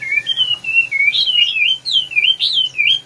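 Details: Red-whiskered bulbul giving a continuous wavering whistle that rises and falls in a smooth, looping warble for about three seconds.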